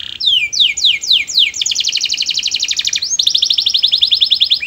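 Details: Canary singing sweetly to encourage other canaries to join in: a run of sliding downward notes that speeds into a rapid even trill, then a bright high rolling passage.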